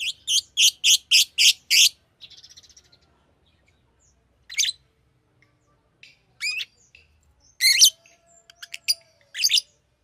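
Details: Fischer's lovebird giving a rapid series of six harsh, high chirps, then scattered sharp squeaky calls separated by silences, with a faint low whistle near the end.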